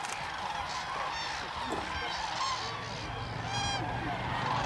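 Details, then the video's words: Crane dance at Hornborgasjön, Västergötland, April 2009. Many common cranes trumpet together in a loud, unbroken chorus, with several clear, resonant bugles rising above the mass of calls. "Dancing Cranes"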